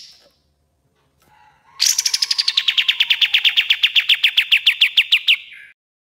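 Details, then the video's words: Common iora master song for training birds: a bright rising note followed by a fast, even series of about thirty clipped, repeated high chips on one pitch, ending in a short lower note. "MASTERAN KAPAS TEMBAK GACOR DOR"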